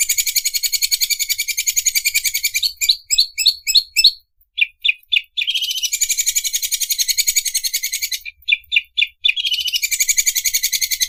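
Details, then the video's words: Greater green leafbird song copying the sound of an overlock sewing machine. Long stretches of rapid, high, machine-like rattling are broken by bursts of sharp separate chirps and short whistled notes, then the buzzing rattle resumes. "CUCAK IJO SUARA MESIN OBRAS"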